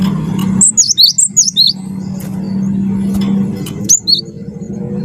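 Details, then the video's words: Wingko cinereous tit in full song, offered to spur other birds into singing: a string of six bright, down-slurred whistled notes, then a short two-note echo, over a constant low humming tone. "gelatik batu wingko gacor jitu buat bahan ikut gacor ampuh pancing bunyi"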